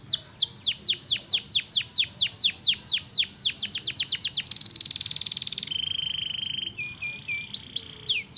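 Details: Canary song played to stimulate singing: a long series of fast downward-sweeping whistles about four per second, then a dense buzzy trill, a steady pure tone, and more sweeping notes, with background hiss.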